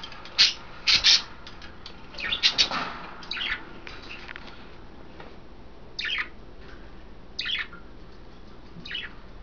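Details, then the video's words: Pet budgerigars bathing in a cage, three females using veggies and a water dish, 9 February 2012: a few sharp, squeaky chirps early on, then scattered short buzzy notes spread out over the later seconds. "crazy budgie bathing"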